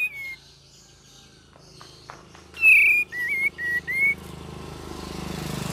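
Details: Cream-vented bulbul in lively, varied singing mixed with chattering, used as a lure recording: a few slurred whistled phrases, short wavering notes in quick succession after a lead note, faint low hum and rising hiss behind.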